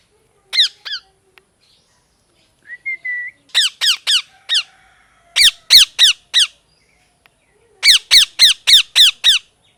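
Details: Pet parrot with molting feathers indoors, giving scattered harsh descending squawks building into fast bursts of four to six, plus one short whistled note between groups.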